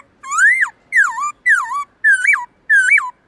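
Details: Black-throated laughingthrush delivering long, loud, clear forest-style song for training birds: five rich looping whistles about two thirds of a second apart, each rising then dipping, the last two with a sharp upward peak.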